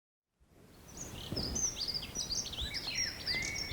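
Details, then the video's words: Dunnock, a small passerine typical of gardens and hedges, singing in the evening in the Vexin français regional nature park: a fast, high, jingling warble of thin squeaky notes tumbling without pause, over a steady low background rumble. "Donc là, on a un accenteur mouché là, qui chante. C'est l'oiseau qui chantait là, juste à l'instant, qu'on entend,"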